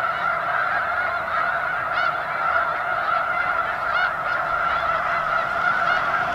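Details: A vast flock of snow geese at McNary National Wildlife Refuge, Washington: a continuous roar of massed honking, with a few distinct rising yelps standing out above the chorus around the middle and later seconds.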